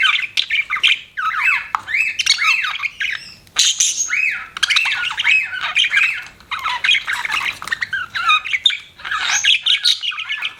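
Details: Pet budgerigar chirping: busy, warbling chatter of squeaky chirps and twittering trills in bursts of one to two seconds, with brief pauses between, loud and close in a quiet setting.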